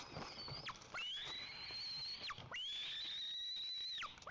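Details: White-tailed eagle (Haliaeetus albicilla) at its nest in Lower Kama National Park, Tatarstan, as the male brings fish for the eaglet: long, thin, high whistles held level for over a second, each ending in a sharp downward drop, three in quick succession.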